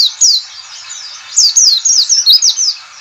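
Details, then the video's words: White-eye giving the Indonesian 'ngalas' call, used to lure other white-eyes into opening their beaks and singing: quick bursts of high, thin, downward-slurred chirps. Softer twittering runs beneath, then a rapid string of about eight sharp descending notes. "CALL CALL NGALAS cepat memancing PLECI BUKA PARUH"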